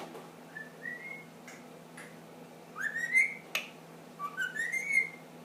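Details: Pet ring-necked parakeet, ten months old, indoors, whistling: sliding whistled notes around mid pitch, then bright rising whistles in two bursts with short clicks between, as it learns the Addams Family tune.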